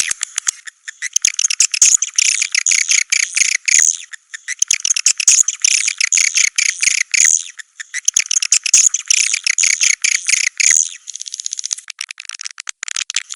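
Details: Swiftlet calls for a swiftlet house: dense, high, buzzy twittering in bursts of roughly three seconds separated by brief pauses, with sharp clicks between them and nothing in the low range.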